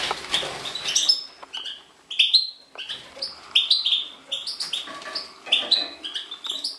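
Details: European goldfinch of the subspecies major, recorded in 2012, delivering a fast, liquid twittering song of bright chirps and short upslurred whistles tumbling over one another with brief pauses between bursts.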